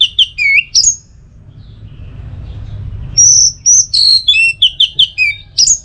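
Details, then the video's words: Orange-headed thrush in a tutor and trigger recording for its teler singing: a quick run of varied whistled notes, some dropping and some rising, then a two-second pause and a dense stretch of bright, rapid, chirping phrases. "Masteran sekaligus Pancingan Burung ANIS MERAH Agar Selalu Bisa Menikmati Telernya setiap saat"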